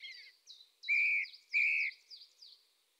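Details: Eurasian tree sparrow calls: soft high chirps overlaid by two loud, flat, drawn-out chirping notes in quick succession, then more faint chirps fading away.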